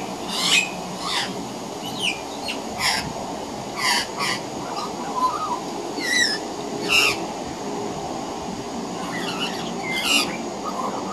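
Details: Juvenile Australian magpie, hidden behind a veranda corner, practising its carolling: harsh broadband squawky bursts about once a second, mixed with short clear whistled notes and brief warbles. Juvenile pied butcherbirds practising their singing are also heard.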